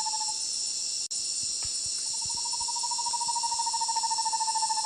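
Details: Roraima screech-owl (Megascops roraimae), an Amazonian owl found only in Roraima state, Brazil, gives a long, even, mid-pitched trill that rises slightly and quickens into a pulsing purr, over a steady high wash of insects.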